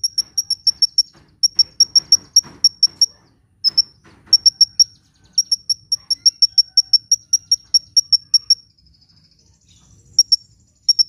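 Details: Sunbird giving rapid, thin high ticks in even series, a recording for luring birds and getting reluctant ones to sing; runs of notes break off briefly, with a faint drawn-out note before resuming.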